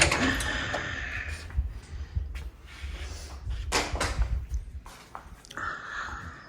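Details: Indoor knocks, clatters and door-like thuds with low rumble and a brief murmur of speech; no animal sound is heard.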